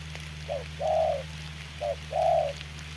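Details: In the rain, a decoy spotted dove squares off with a wild bird near a trap, uttering two short-then-long coo pairs over a constant low hum.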